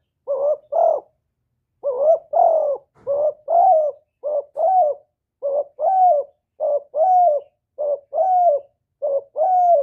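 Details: Spotted dove (cu gáy, cu đất) in thổ-style calling coo, recorded clean to stimulate other doves: about a dozen low paired notes, a short coo followed by a longer arched one, repeated steadily with brief pauses. Quiet background.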